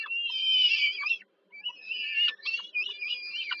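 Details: Hungry peregrine falcon nestlings at Żerań, Warsaw, Poland, begging as the mother brings dinner, July 2022: a drawn-out harsh wail, a short silence, then a run of choppy, rising and falling screeches.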